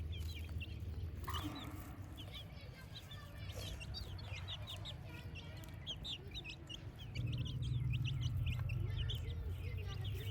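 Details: Baby chicks chirping while playing: a dense stream of short, high, downward-sliding peeps, several per second from many birds, over a steady low rumble that grows louder after seven seconds.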